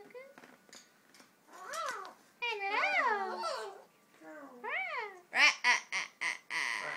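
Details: A macaw attempts to mimic speech, fuzzily, amid people saying hello: a high, nasal, speech-like babble with rising and falling syllables, ending in a burst of harsh squawks.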